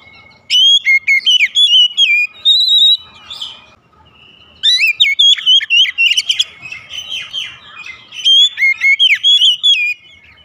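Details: An Oriental magpie-robin sings at length in the morning, with three long runs of rich whistled and chattering phrases, fast and varied, separated by short quiet gaps.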